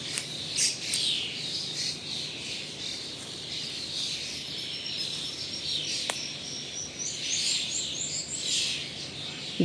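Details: Flock of migratory common starlings chattering and singing throughout a gully clearing: overlapping high twittering and whistled notes, a few thin level whistles near the end, and a single sharp click partway through.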